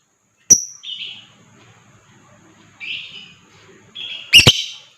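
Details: Lovebird recording played to stimulate other birds to sing and give the ngekek chatter. Short buzzy chirps come at intervals, ending in one loud harsh burst.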